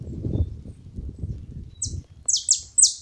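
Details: Saffron finch at a feeding spot: a low rumbling background gives way to three loud, sharp, high chirps, each dropping quickly in pitch.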